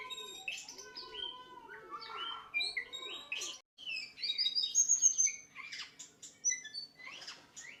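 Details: Murai batu, the white-rumped shama, in a training recording for other birds. Varied whistled phrases and lower warbles break off briefly, then resume with bright high whistles, chips and sharp calls.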